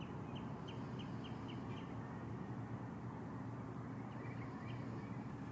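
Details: Common greenshank calling: a run of six short, clear, evenly spaced notes, then a few more later, heard faintly through loud, steady low rumbling background noise.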